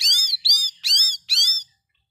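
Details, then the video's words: Oriental magpie-robin song used to provoke other birds: four loud, harsh, ringing arched notes, each about a third of a second, delivered in rapid steady succession before falling silent. "Kacer Dengar ini di jamin emosi"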